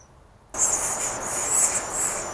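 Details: Day-11 Western Flycatcher nestlings in a wild Pacific Northwest nest break from near silence into a sudden loud, hissing, high-pitched chorus of buzzy calls that continues unbroken for about two seconds.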